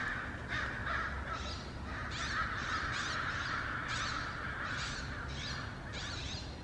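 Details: Crows among other birds, several distinct harsh caws bursting out roughly every half second over a continuous chorus of more distant cawing, with low rumbling background noise.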